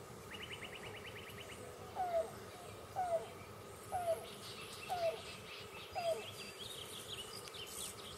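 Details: A presumed female yellow-billed cuckoo (Coccyzus americanus) at Bill Williams River NWR, La Paz County, Arizona, on 14 July 2015 around 6:00am, gives a brief rapid ticking trill, then five soft, hollow, slightly falling coos, about one per second.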